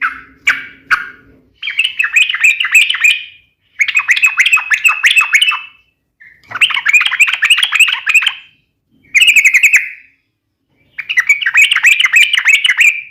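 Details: Yellow-vented bulbul in a sharp, rapid-fire fighting song meant to draw a reply from other bulbuls: dense bursts of fast, rattling, bubbly chirps lasting about two seconds each, separated by short silences, with a few isolated notes between.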